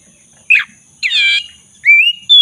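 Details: Black-breasted magpie-robin lure song meant to restart silent birds: a harsh chattering burst followed by clear rising whistles, with steady faint electronic tones behind.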